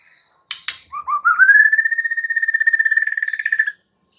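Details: White-rumped shama song used to make other birds sing: two sharp clicks, then a long rapid trill that rises slowly and holds steady for about two and a half seconds.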